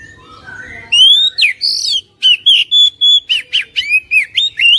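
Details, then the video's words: Oriental magpie-robin song used as a lure to get a lazy caged bird singing: after a faint rising prelude, loud sweet whistles and sharp slurred notes, rapid and varied, with brief pauses between phrases. "PANCINGAN KACER INI | KACER MALAS BUNYI CEPAT GACOR"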